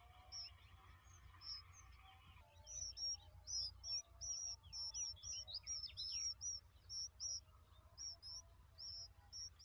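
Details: Young bulbuls, likely at feeding time, give a dense run of shrill high chirps, short and sharply inflected, tumbling over one another in rapid, uneven bursts above a constant low background hum.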